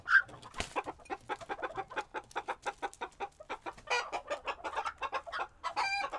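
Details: Chickens in a coop at a pottery kiln in Tokyo, Japan, recorded one day in February 2022, chattering noisily: a steady stream of short repeated clucks, some rising into louder squawks, with brief human laughter just before.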